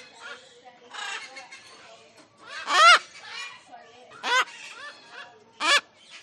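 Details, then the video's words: Cockatoo calls: low, muttering chatter broken by three loud, harsh screeches, each a short, grating burst, spaced about one and a half seconds apart toward the end. "Cockatoo Bird Sound"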